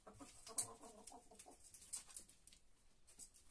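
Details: Free-range hens in the countryside: soft, low, rounded clucks in a loose, uneven series with sharp clicks and scratching noises in between.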